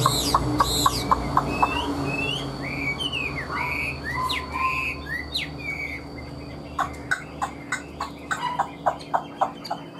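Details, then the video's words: Chinese hwamei delivering loud, clear whistled phrases that swoop up and down. The song then breaks off, and a series of sharp dry clicks follows, repeated about every half second, over a low steady hum. "Họat Họa Mi"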